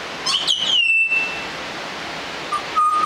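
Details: Juvenile Australian butcherbird learning to sing: a high bright note gliding downward and fading, followed after a pause by a lower steady whistle, over light background hiss.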